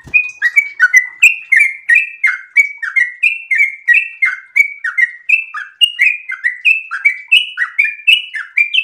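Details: Sooty-headed bulbul in breeding condition keeps up a long ropel song of crisp, whistled chirps in rolling pairs, steady and uninterrupted for nearly nine seconds.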